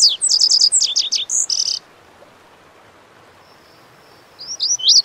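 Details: A Lazuli bunting sings a rapid, high, jumbled phrase of sweet paired notes and downward slurs lasting under two seconds, followed by a quiet gap and the start of the next song; faint thin hum in the background.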